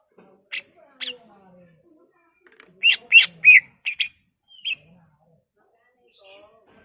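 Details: Greater green leafbird song used to provoke rival leafbirds: sharp, squawky broadband notes in an uneven burst, a few spaced notes then a quick cluster of five or six, with faint low murmuring behind.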